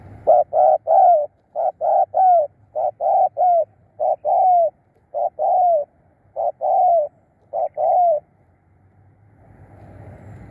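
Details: Spotted dove used as a decoy to lure wild birds, giving loud, mellow coos in quick paired and tripled bursts, about a dozen notes over eight seconds with short gaps, then near silence with faint background hiss.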